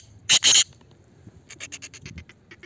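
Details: A black francolin (black partridge) in Pakistan gives two loud, harsh grating notes, then a quicker run of about ten faint, high, clicking notes.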